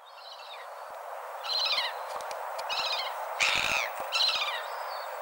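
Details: Seagull calls: a few loud, harmonic, downward-curving cries set against a steady background hiss, with a thin high whistle-like trace early on.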